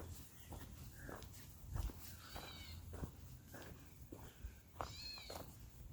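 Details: At a swampy clearing by Leach Pond, Borderland State Park, Easton, Massachusetts, a Gray Catbird gives short, nasal, cat-like mew calls, one of its calls rather than its song, over low rumbling outdoor noise.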